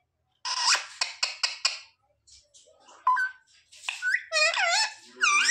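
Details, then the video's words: Pet parrot talking indoors: a burst of quick clipped notes, soft pauses, then a string of bending, speech-like syllables. "Parrot talking mithu mithu 😱Mummy papa bolne wala mitthu"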